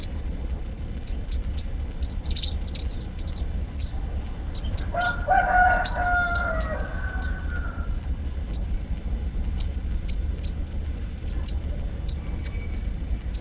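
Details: Sunbird (kolibri ninja) at Bakalan calling busily with many thin, very high ticking chirps in irregular bursts, while a rooster crows in the middle and low ambient hum continues.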